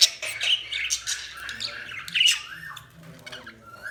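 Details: Budgies chattering in a busy stream of raspy squawks and warbling chirps, ending with quieter drawn-out rising whistles.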